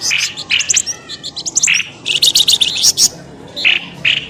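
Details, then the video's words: Bird lure sound to tempt birds out of the bushes. Quick runs of sharp high chirps come in clusters, broken by harsher scratchy notes and short pauses. "SUARA PIKAT BURUNG pelamboyan ribut"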